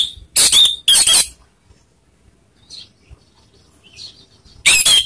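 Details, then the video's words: Orange-headed thrush song played to rile rival birds: two loud harsh, buzzy bursts of high notes, a quiet pause with faint distant chirps, then another loud burst at the end. "pancingan anis merah bikin emosi lawan"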